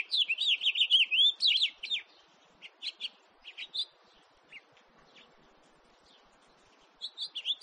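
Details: Lively house finch warble, two seconds of rich, rolling high notes, then a string of separate short chirps and a fresh burst of song at the close; background otherwise quiet.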